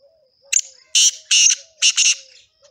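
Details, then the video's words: Black partridge, a male, in song: a clipped opening note followed by three harsh, broad, scratchy bursts, the last one doubled, with faint insect droning in the background. "Black Partridge male singing"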